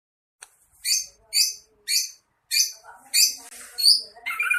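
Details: Greater green leafbird (cucak ijo) training recording mixing in sparrow, lovebird and kingfisher phrases: a series of rich, rising, whistled and chirpy high notes roughly every half second, ending in a warbled jumble.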